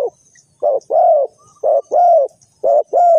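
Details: Spotted dove calling as a trapping lure, giving deep mellow coos in pairs, a short note followed by a longer drawn-out one, repeated about once a second against a quiet background.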